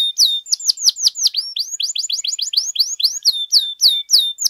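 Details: Canary in full, long-running song, used as a tutor recording and to prompt other canaries to sing; rapid series of high, down-slurred whistled notes, about three per second, shifting into buzzy rising tours.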